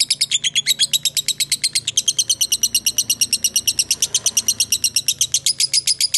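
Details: Fighter lovebird in a sustained ngekek, used to prompt other lovebirds to answer: around forty quick, rasping chatter notes in an unbroken, steady stream throughout.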